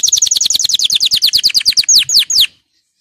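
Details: Canary song meant to encourage canaries to sing: a fast run of about eighteen high, descending whistled notes that slows into a few longer, louder sweeping notes before stopping abruptly.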